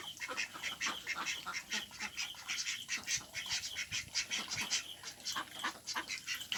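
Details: Ducks quacking in rapid runs of harsh, rasping calls, several each second. The loudness rises and falls as the calls bunch together, over thin high twittering behind.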